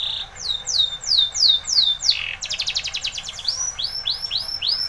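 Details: Timbrado canary song for training: a series of slurred downward whistles, then a rapid metallic trill of dense repeated notes, ending in rising and falling looping phrases.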